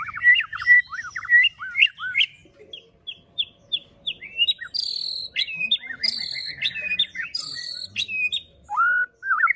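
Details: White-rumped shama (murai batu) singing a 'pastol fighter' style song, meant to provoke other shamas into full song: varied loud whistled phrases, slurred rising and falling notes, sharp high chips and short trills in quick succession.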